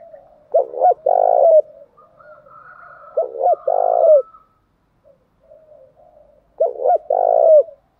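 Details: Male and female spotted doves cooing to stimulate other birds: three loud phrases, each two brief clipped notes and a drawn-out husky coo, repeated about every three seconds, with soft murmuring coos between.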